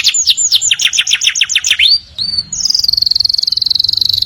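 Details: Canary song heard in the morning: quick descending slurred notes for two seconds, a brief pause, then a high steady rapid trill.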